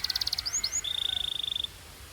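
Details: Belgian canary warming up, a short burst of pulsed notes and two rising whistled slurs, then a steady high rolling trill that stops abruptly.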